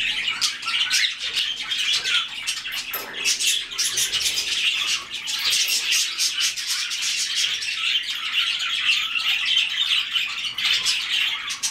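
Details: White-faced cockatiels, several birds, keep up a dense, steady chatter of scratchy chirps and squawks for the whole stretch, with short flurries of sharper clicks and barely any pause.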